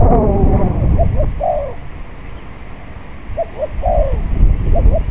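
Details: Windy-day recording from spotted dove decoy trapping. Two song phrases, each two soft clipped coos and a longer falling note, spaced about two and a half seconds apart, with a steady wind roar below.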